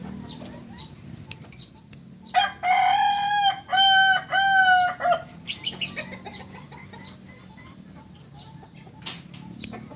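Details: Kukuak Balenggek rooster, a native chicken of Solok, crowing: a loud harmonic call broken into several segmented, stepped syllables over about three seconds, followed by shorter clucking notes and quiet background.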